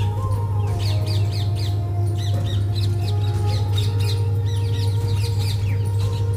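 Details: Parrots chattering in the rain, a flock giving short repeated squawks and chirps several times a second over a steady low drone, with sustained musical tones underneath.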